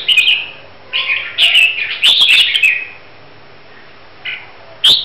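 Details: Red-whiskered bulbul from Huế being prepared for a singing contest sings bright, liquid, chattering phrases in quick bursts about a second long, with short pauses and a final sharp note.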